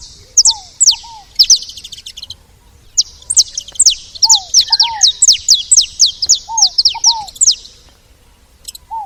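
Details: Saffron finches at a feeder call in lively runs of piercing, downward-slurred high chips at roughly two per second, accompanied by lower paired curved notes and brief quiet gaps.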